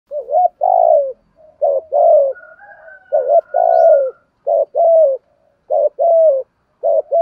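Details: Spotted dove decoy bird used to train young birds and lure others, giving its calling song styles (thúc gù, gáy gọi, bài bản): repeated low mellow coo phrases, short wavering notes then a longer falling coo, about six phrases, faint high whistle midway.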